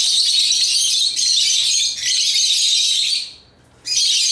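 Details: Chattering African lovebirds at play with toys. A dense, unbroken high scratchy chatter runs for about three seconds, breaks off briefly, then starts again.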